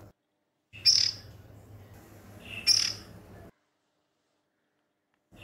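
A young Oriental magpie-robin gives two short, sharp, high chipping notes about two seconds apart; a faint low hum runs underneath.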